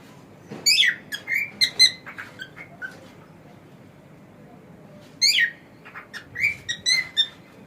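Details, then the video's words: Male pet cockatiel chattering with a loud rising squawk, then a string of quick chirps and clicks, repeated after a pause. "This Cockatiel Has No Idea How Funny He Sounds!"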